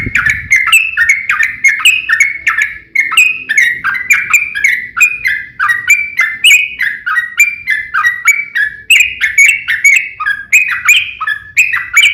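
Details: Yellow-vented bulbul delivering a long rapid fighting song to stir other bulbuls into calling back: continuous lively chatter of short warbled notes, rising and dropping, around two per second for twelve seconds.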